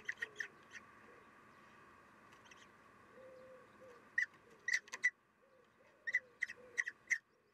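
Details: Common kestrel at a nest with chicks during feeding, 3 June 2021: short, sharp, scratchy notes in quick bursts of two to four, repeated every second or so, over a steady electrical hum.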